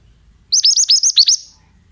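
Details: Oriental magpie-robin, recorded to prompt young birds to reply: six bright, hooked chirps in a fast, even run lasting under a second, nothing else audible.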